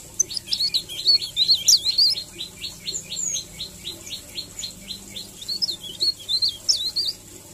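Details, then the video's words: Leaf warbler singing a melodious rolling 'ngerol' song, used as a tutor recording for training birds: a rapid run of high, thin, down-slurred notes, about three per second, turning into varied twittering near the end, over a faint low hum. "Suara ngerol merdu Cikrak daun"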